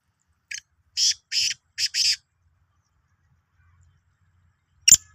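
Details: Black francolin of the Sindhi type, dated 16 March 2023: a short lead note, then four rasping, grating notes in two quick pairs, followed by silence and a single sharp click.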